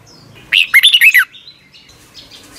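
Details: Caged Red-whiskered Bulbul from Thailand, a recording played each morning to help young birds learn. One quick warbled phrase of bright, looping whistled notes lasts under a second, then only faint distant chirps.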